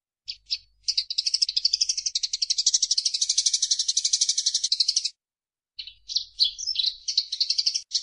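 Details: Eurasian tree sparrow, recorded as master song for training caged birds: a few chirps, a long rapid buzzy trill of about four seconds, a short pause, then twittering chirps.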